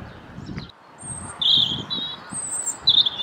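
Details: A European robin (Erithacus rubecula) sings in spring, with thin, high, wavering phrases, sweet trills and squeaky notes over a low rumble of wind or background noise.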